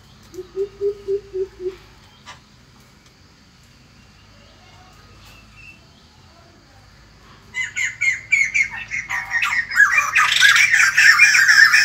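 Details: White-crested laughingthrush morning song: a short run of soft, low hoots, a pause, then a loud, harsh cackling chorus that swells to the end.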